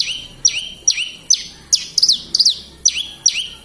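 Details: Kediri, Indonesia: a Horsfield's bush lark in 'gacor' song gives piercing high whistles that swoop downward then level off, repeated about every half second, with a few clustered double notes mid-phrase.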